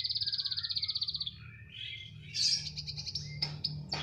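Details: Canary singing steadily, said to keep singing wherever it is placed: a fast, even high trill of rapid repeated notes for over a second, then softer warbled phrases and quick bright rolls, over a faint low hum.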